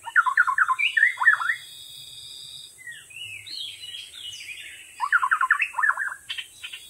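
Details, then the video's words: White-rumped shama singing vigorously in the wild: rich bursts of rapid, varied whistled and chattering phrases, then quieter thin sustained high whistles, and a final loud burst of warbled notes. "Burung Murai batu gacor di alam liar"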